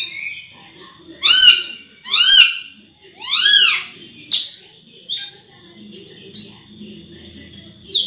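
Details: Sulawesi myna (raja perling) vocalising: three loud, harsh, arched squawking swoops, then a string of thin, high, brief whistled notes that rise slightly.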